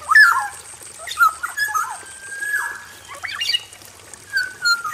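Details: Aviary-kept male black-naped oriole: a loud fluty opening phrase, a long flat whistle, then scattered sliding notes and a final clear whistled phrase.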